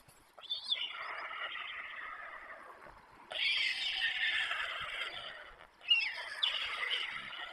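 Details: Young white storks at a camera-watched nest in Przygodzice on 24 July 2021, still with their parents: long harsh, hissing, wheezy calls lasting a second or more, in three drawn-out bouts with short pauses.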